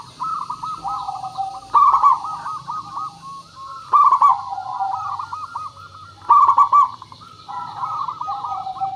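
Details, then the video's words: Local zebra doves used as a lure so other doves answer: overlapping rolling, bubbling coos that swell into loud phrases about every two seconds, over a continuous murmur of further cooing and a low background hum. "Suara Pancingan Burung Perkutut Pikat Paling Bagus Supaya Bunyi"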